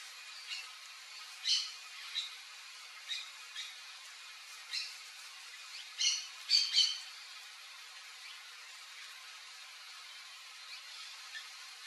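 A palm tanager gives thin, squeaky high notes in scattered short bursts, thickest in a quick cluster midway, over a steady soft hiss.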